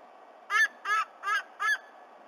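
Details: Black currawong visiting a White-bellied Sea-Eagle nest at Sydney Olympic Park, 26 Oct 2020, 11:55 a.m., vocalizing with eaglet E26: four harsh croaking notes, about two a second, over a steady low hiss.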